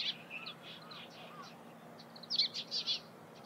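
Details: Oriental greenfinch near Lake Hamana, Japan, in March: a run of short, buzzy, twittering notes, quicker and louder toward the end, over a faint low hum.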